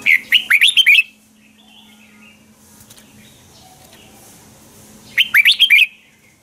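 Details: Fighting-style morning song of a red-whiskered bulbul used as a lure to train birds: two bursts of quick, looping whistled phrases, about six notes each, separated by four seconds of near silence with a steady low hum.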